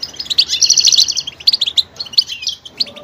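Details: Varied goldfinch song, a fast run of bright chirps and a trilled rattle of quick repeated high notes, followed by scattered twittering phrases.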